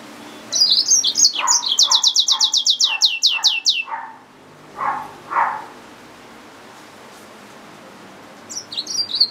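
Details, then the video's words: Yellow-fronted canary mule singing a fast trill of high sweeping notes over lower soft calls, then a pause with two low notes and a short return of high twittering. "SERINUS Mozambicus | سيرينوس موزمبيق | Yellowfronted canary mule | Hybrid Finch | Nature Bird sounds"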